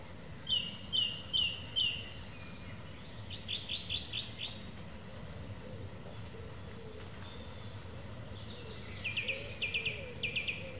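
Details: Song thrush in evening song, repeating each phrase several times: a sharp whistled note four times, then a rapid rattling figure four times, then a pause and a clipped trill three times.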